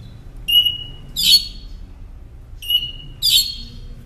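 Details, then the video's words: Northern mockingbird singing, for teaching caged songbirds: a phrase of a thin level whistle followed by a rough burst, given twice about two seconds apart in a quiet setting. "Masteran Pintar Burung Kicau Northern Mockingbird"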